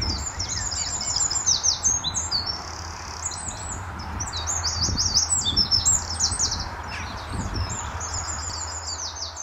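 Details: Eurasian wren at Standalone Farm, Letchworth, calling loudly on an early March 2014 morning while answering a neighbouring wren: busy, continuous high twittering phrases repeated in quick succession, no long trill, over low outdoor background rumble.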